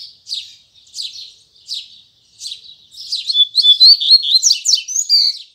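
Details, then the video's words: Double-collared seedeater, Braddock song with firm tui tui zel zel, at morning: evenly spaced high chirps build into a loud rapid stretch of whistled and buzzy notes. "Coleiro Braddock Abrindo Canto Tui Tui Zel Zel Firme Pela Manhã!!!"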